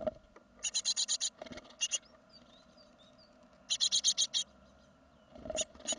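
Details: Great tit leaving the nest, second brood, 2016: bursts of fast scratchy notes, several short separate rasps, and faint thin whistles between, with rustling knocks and a low hum.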